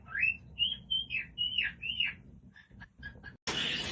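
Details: Cockatiel whistling a string of arched, sliding notes, five smooth rising-and-falling whistles in quick succession, then a few clipped chirps and a sudden burst of loud noise at the end.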